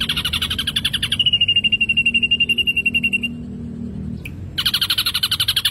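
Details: Ashy drongo singing busily, used as a lure: rapid pulsed trills, then a sustained even trill that stops abruptly, a short pause, and the fast pulsed trill again.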